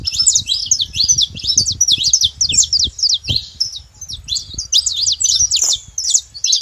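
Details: Free-living saffron finches in a natural setting give a dense, chattering song of rapid high chirps and trills. Several birds seem to overlap, with light low background noise.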